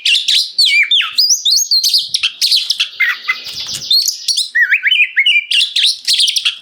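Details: An oriental magpie-robin sings a varied 'gacor ngeplong' song to get other magpie-robins answering and to tutor kept birds: rapid whistled phrases, roughly three or four a second, curling low slurs and a brief harsh scratchy stretch midway.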